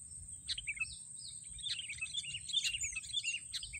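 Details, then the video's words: Sooty-headed bulbul at a racik bird-trapping site: a fast jumble of sweet whistled slurs and sharp chirps. A constant thin high hiss runs beneath, with a low rumble of background noise. "mikat burung kutilang"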